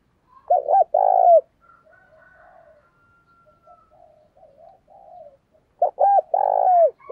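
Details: Decoy spotted dove calling wild doves in with its coo: a loud, throaty phrase of clipped coos and a long rolled note, quiet murmuring, then the phrase repeated.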